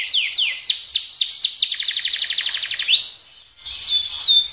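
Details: Canary in gacor roll style: several swooping whistles, then a fast rattling trill of repeated notes, a brief pause, and more slow falling whistles.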